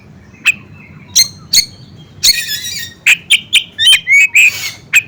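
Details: Bar-winged prinia, recorded together with magpie robin voice to provoke other birds: scattered sharp chirps, then a burst of quick rasping and whistled notes, all over a faint constant hum.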